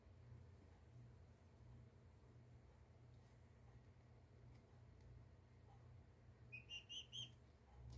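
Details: Young turkeys at two weeks old: a long quiet stretch with low droning hum, ending in a tight series of about four bright, high-pitched peeps.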